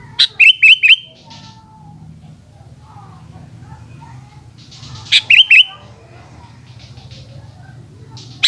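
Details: Sooty-headed bulbul singing in the afternoon, giving a fast burst of three or four looping whistled notes, then after a pause another similar phrase, over a low rumbling background.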